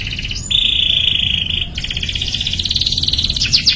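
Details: Young canary practising its song: a steady buzzy trill that breaks off and resumes as a rapid rolling warble, ending with a few sharp rising notes over faint low rumble.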